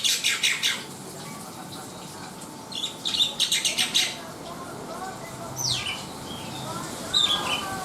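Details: Black-winged myna uttering two short bursts of rapid harsh chatter separated by quiet, followed by a few sliding squeaky notes, with a constant faint hum.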